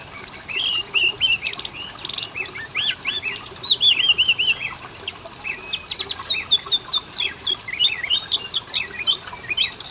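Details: Oriental magpie-robin lure song to prompt males and females to sing: a varied stream of whistled slurs, buzzy rattles and quick chattering notes, growing faster and denser toward the end.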